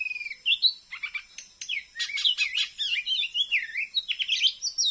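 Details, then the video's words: Wild Oriental magpie-robin caught on a glue stick near a house in Indonesia, still singing and challenging the decoy bird. It gives a varied, loud series of clear whistles, rising and falling slurs and quick chattering notes, with no pauses. "KACER GACOR FULL DAN FIGHTER || KENA PULUT MASIH BERANI MELAWAN PIKAT SAYA"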